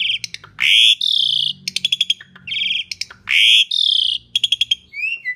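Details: Asian pied starling singing loudly as a lure for other birds: harsh rising buzzy bursts alternating with rapid clicking stutters and a closing whistled upsweep, busy and varied.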